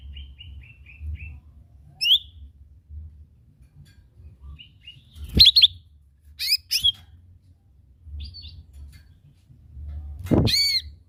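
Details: Lesser green leafbird lure song, village recording: scattered short chirps, sharp twitters and upswept whistles with long pauses between them, plus a few clicks and a soft low background hum.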